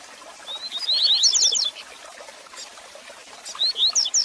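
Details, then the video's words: Double-collared seedeater song for stimulating and teaching a caged male: a rapid run of rising whistles climbing in pitch early on, then a second shorter run at the end, with hiss underneath. "Canto Para Esquentar seu Coleiro Com Fibra!!!"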